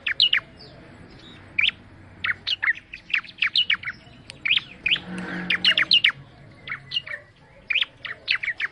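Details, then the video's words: Energetic bar-winged prinia (ciblek) song: a long run of sharp, high, downward-flicking chirps repeated quickly in irregular groups, with a soft low rumble midway. "Suara Burung Ciblek Mendayu Auto Gacor"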